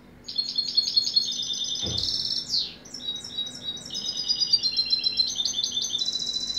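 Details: European goldfinch in full song, a continuous stream of high twittering trills, buzzy slurs and a descending sweep, shifting between varied repeated phrases, with a single soft thump near the start and a faint background hum.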